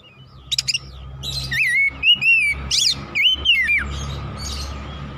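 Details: Oriental magpie-robin singing in a session meant to stimulate a kept bird, loud whistled slurred phrases mixed with sharp high chips, repeated over about five seconds against steady low hum.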